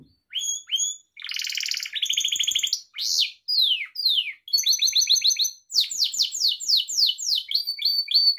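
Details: Pet Gloster canary singing, recorded for training other canaries: varied phrases of sliding whistles, a buzzy rolled trill, then runs of fast downward sweeps and short chirps without breaks.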